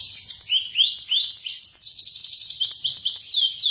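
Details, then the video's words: Local Indonesian canary song of sweet rising whistled slurs in quick succession, followed by rapid chattering trills, all high-pitched. "Suara kicau KENARI yang MERDU"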